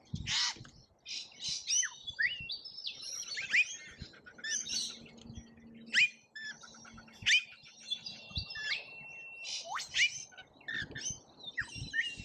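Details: Rainbow lorikeets at a feeder in Australia, filmed on a feeder cam: dense, overlapping shrill screeches and squeaky chatter that continue almost without pause, with a brief steady whistled note near the end and a faint low hum behind.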